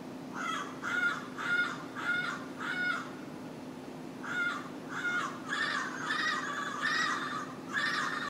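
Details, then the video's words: Green parrot perched in a tree outside the Annenberg building at Caltech, loud enough to hear indoors: harsh, grating squawks repeated in quick series of four or five, a pause, then another run, over steady background hum. "Parrot at Caltech"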